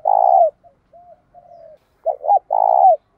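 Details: Spotted dove decoy coo used to attract and provoke wild doves: a strong low coo, a few soft quiet murmurs, then a quick double note and a final long, hollow coo dropping at its end.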